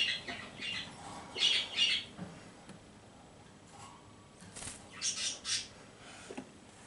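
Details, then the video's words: Pet cockatiel chattering indoors: a few short, harsh, squawky syllables in pairs near the start and again later, separated by quiet gaps with faint background hiss. "【おしゃべり】ごまちゃん一発撮り【Budgerigar and Cockatiel】【オカメインコ】"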